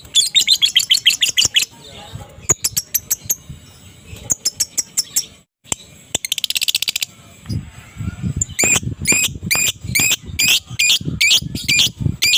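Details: Adult fighter lovebird chattering ngekek in the morning, meant to provoke silent lovebirds to respond: rapid runs of shrill, high chirps in bursts, a dense buzzy trill midway, and a fast regular series of sharp notes at the end.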